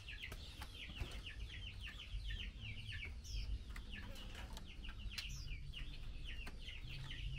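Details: Female Chinese hwamei calling to the male during a mealworm feeding, giving rapid runs of clipped descending chip notes, closely spaced and tireless, with occasional clicks and low rumble behind.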